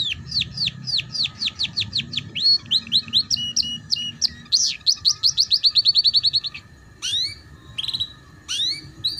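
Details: Canary song played as a tutor recording for young canaries learning the ngeriwik style: rapid trills of repeated high sweeping notes, shifting through several phrase types, then a brief pause and scattered downslurred whistles, with a steady faint low hum beneath.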